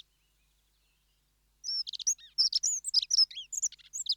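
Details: After over a second of silence, a Dunnock bursts into a quick, tumbling, high-pitched jingle of squeaky and slurred notes that continues without a break to the end.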